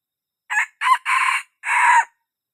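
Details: A young wild red junglefowl gives a single full crow, a recording meant to lure birds closer. It comes as four bursts: short, short, long, then a long drawn-out ending note, heard in silence.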